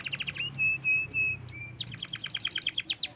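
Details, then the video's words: Kept canary in Indonesia, still healthy after its keeper's holiday trip home, singing actively: rapid chattering notes, a few level whistles, then a fast rattling trill, over a steady low hum. "gacor dar der dor"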